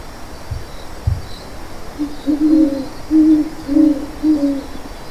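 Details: Owl hooting: a run of low, short hoots starting about two seconds in, steady in pitch and repeated in quick groups, with a few soft thumps before them and faint insect hiss behind.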